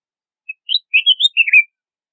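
A red-whiskered bulbul gives a short, bright phrase of five or six liquid, warbled notes that rise and fall, over in about a second, with no other sounds.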